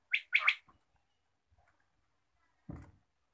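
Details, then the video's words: Quail calling at morning: a single brief sharp three-note burst, one note then a fast double, followed by silence and a low knock. "batair ki awaz subha"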